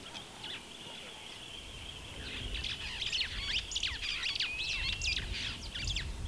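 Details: Superb starling in Kenya: a busy run of quick, high chirps and squeaky whistled notes, dense and jumbled in the second half, over a steady background hiss.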